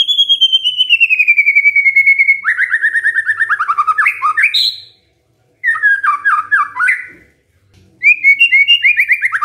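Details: Magpie-robin singing as a lure for a silent bird: a long, sustained warbling trill that slowly descends, then breaks into rich, chattering phrases with brief pauses between bursts.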